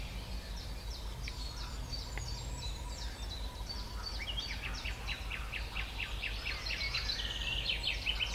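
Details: {'caption': 'Singing Eurasian wren: a fast, continuous cascade of high ticking and trilling notes that grows denser toward the end, partly masked by strong low-pitched background rumble.'}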